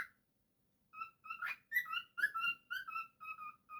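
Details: Cockatiel kept as a pet gives short whistled notes in an irregular phrase, some sliding up or down, with a couple of harsher, noisier notes mixed in.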